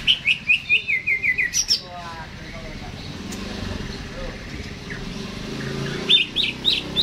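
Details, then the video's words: Caged greater green leafbird singing before being hung up: a fast string of about a dozen sharp, descending whistled notes, then a lull with a voice and traffic-like rumble, and more bright chips at the end. "CUCAK HIJAU GACOR...Sebelum di gantang"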